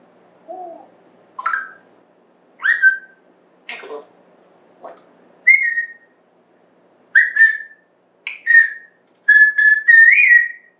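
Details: Pet African grey parrot indoors, recorded September 14th, 2024: short mimicked sounds followed by a run of about eight sharp falling whistles, coming faster toward the end, the last ones buzzy and wavering.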